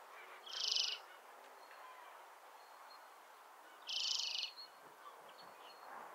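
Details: European greenfinch producing two harsh, buzzy, nasal wheezes, each about half a second long and spaced roughly three seconds apart, over a quiet background of soft hiss and faint distant chirps.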